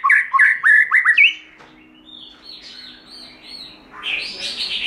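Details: Wild-voice style song of a white-rumped shama: five loud, looping whistled notes in about a second, followed by soft, scratchy twittering and a brief buzzy burst near the end.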